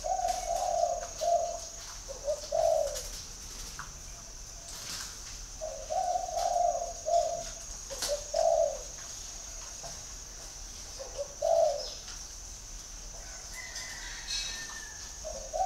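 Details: Spotted dove calling, a soft, low cooing phrase of several notes, repeated at intervals of about four seconds, with a steady high hiss in the background.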